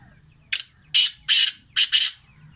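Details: Sindhi black francolin giving a rasping call of five harsh, scratchy notes in about two seconds, the last two closely paired, with a faint low hum behind.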